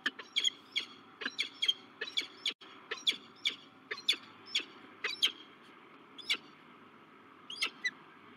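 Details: Peregrine falcons at La Crescent, USA, 16 March 2023, as a male meets a new female at the nest site. Short harsh chipping notes repeat rapidly, about two to three per second, with a constant background hum.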